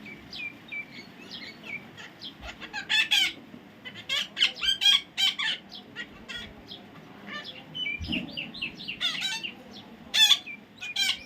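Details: Baby parrot giving loud, harsh squawks in irregular bursts, some short and clipped, others rasping, with brief quieter gaps between them; faint low background hum.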